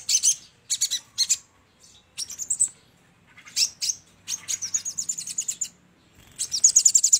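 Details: A crimson sunbird, locally sogon, in a lure recording: clipped high chirp bursts, a rapid run of about a dozen sharp notes, and a closing fast high trill.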